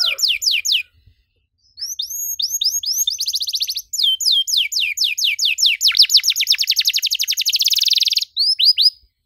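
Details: Canary in full song, played to teach young canaries: bursts of quick rising whistles, a pause, then an accelerating series of notes running into a long, very rapid rolling trill before final whistled sweeps.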